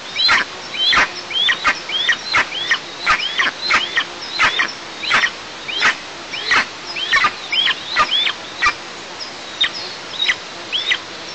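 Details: Eagle chicks at a camera-monitored nest in an oil-producing district of southeast Tatarstan, 6 July 2024, begging in protest as their mother eats alone: sharp, high downslurred chirps repeated about every half second in an uneven series.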